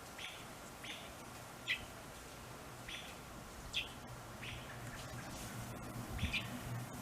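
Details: American robin fledgling that has fallen from its nest while both parents feed it and try to protect it; short bright chirps repeated about once a second, some coming in quick pairs, over a steady low background hum.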